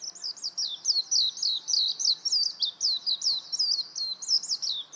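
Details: Warbling white-eye with an unbroken stream of sweet, high, swooping twitters, many notes each second, clean and close over a quiet background.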